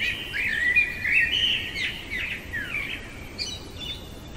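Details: Night-singing common blackbird: a rich, flowing warble of linked fluty notes, followed by fainter trailing notes and a thin high twitter near the end, over soft low background noise.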